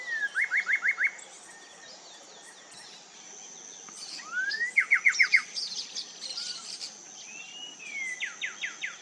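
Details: In Amazon forest in Loreto, Peru, a Coraya Wren sings loud, rich phrases: quick runs of four or five ringing whistled notes, some with a rising slurred lead-in, repeated with pauses; other forest birds chirp faintly behind.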